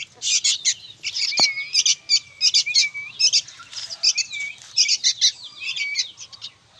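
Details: A chorus of young sooty-headed bulbuls, loud and restless: crowded high chirping in quick bursts, threaded with clear whistled slurs that dip and flatten, and a single sharp tap early on.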